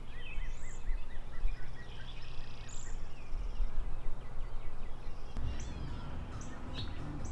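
A male Brown-headed Cowbird gives thin, very high whistles, while another bird repeats quick chirps over a steady low outdoor rumble.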